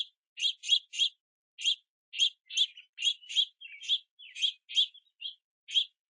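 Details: Juvenile house finches perched on a backyard feeder in the rain, chirping at parents for food; rapid, rhythmic harsh chirps, first in a quick triplet, then continuing at a steady pace.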